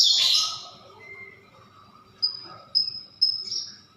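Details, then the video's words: Song of a Siberian blue robin: a harsh, loud opening burst, then a pause and a series of thin, high whistled notes repeated about every half second. "Burung Siberian Blue Rubin"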